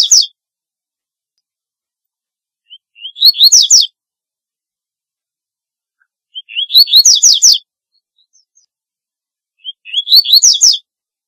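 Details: Repeated song of the double-collared seedeater, roughly every three and a half seconds: a short rising lead-in of thin whistles followed by a burst of bright, descending slurred notes.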